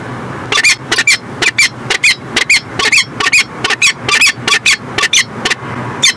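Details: Peregrine falcon at its nest in Montreal, Canada, 2017, giving harsh, rasping calls repeated rapidly, about two a second, in an uneven series of loud bursts, with faint low background hum.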